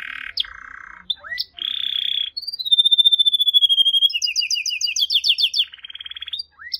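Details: Unique, varied canary song with a low buzzy trill, a long pure whistle that slowly descends, then rapid chattering rolls and a nasal buzzing phrase before a final upward note.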